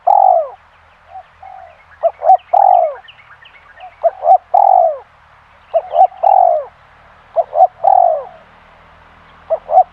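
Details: Spotted dove calling in bursts: two short clipped notes followed by a longer, falling, hoarse coo, repeated several times over ten seconds, with faint softer notes between phrases.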